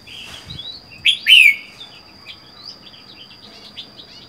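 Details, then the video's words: Red-whiskered bulbul caged alone for four months since being caught in the wild: a loud slurred warbled phrase, then soft scattered chirps, over a steady high electronic hum. "Chào mào một mình một nhà có thể căng được không?"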